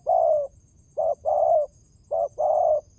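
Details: Spotted dove cooing, used as a lure sound: low, mellow hoots in repeated phrases, each a short note followed by a longer drawn-out coo, three phrases in quick succession.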